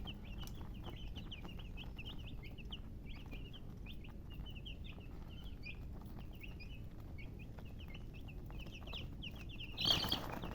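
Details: Baby chicks give a continuous string of sharp high cheeps, many birds calling at once, ending with a brief loud scuffle or rustle near the close.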